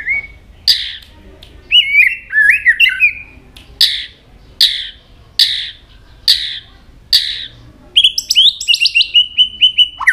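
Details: White-rumped shama singing many varied notes and switching voices while continually flicking its tail: sliding whistles, then a series of sharp, evenly spaced emphatic notes about every second, ending in a rapid twittering flourish and a long steady whistle.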